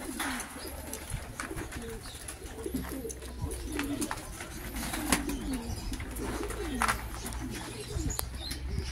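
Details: Several Pomeranian pouter domestic pigeons, all born in 2023, coo in deep, rolling phrases that overlap almost without pause, over a steady low mechanical hum and a few faint clicks.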